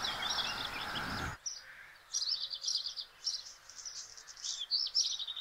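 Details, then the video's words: Singing male black redstart recorded 12 May 2022 in Simpelveld, the Netherlands: after a second of rough broadband noise, short high scratchy and chirping phrases come in separate bursts, with brief pauses between them. "Zwarte roodstaart Phoenicurus ochruros, zingend mannetje"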